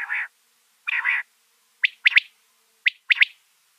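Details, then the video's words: Quail gives two harsh, buzzy nasal notes, then sharp, liquid clipped notes in quick pairs and triplets, repeated about once a second, recorded during winter quail hunting in severe cold. "Quail sound"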